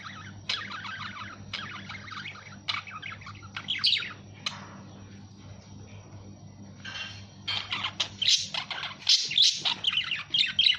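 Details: Budgerigar giving scattered bursts of high chirping warble, brief pauses between phrases, then denser, louder chattering after about seven seconds; steady low hum underneath.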